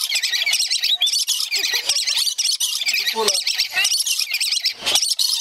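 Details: Pair of lories, male and female, excited during courtship play as the female urges the male to bite a hand; dense harsh, screechy squawks and chatter fill the clip continuously, with a few lower nasal notes mixed in.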